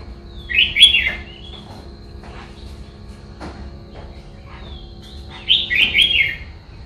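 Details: Red-whiskered bulbul giving two short bright warbled phrases about five seconds apart, each a quick cluster of rich slurred notes, with soft clicks and a steady low hum between them.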